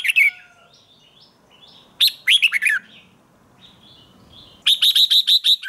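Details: Morning training song of a red-whiskered bulbul: a slurred opening note, a bubbly warbled phrase, quiet, then a fast run of about seven crisp repeated notes.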